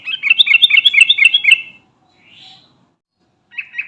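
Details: Garuda-type sooty-headed bulbul calling companions: a quick tumbling burst of bright chirps for about a second and a half, then a soft fading note, silence, and a short chirp run returning at the end.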